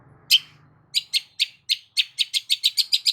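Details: Long-tailed shrike used to prompt a silent shrike to sing: one loud harsh note, then a quickening series of short raspy chips, about eleven in two seconds, in a quiet setting.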